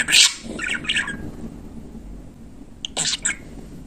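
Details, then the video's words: Talking pet budgerigar imitating speech: a loud scratchy burst, then softer chattering syllables, a pause, and a final cluster of harsh rasping notes indoors. "Bülbül gibi konuşan muhabbet kuşu"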